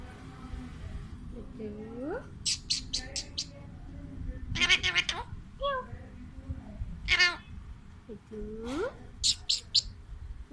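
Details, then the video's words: A pet talking Alexandrine parakeet mimics speech with swooping, voice-like phrases, broken by short bursts of harsh, buzzy squawks and clicks. "Talking Alexandrine Parrot"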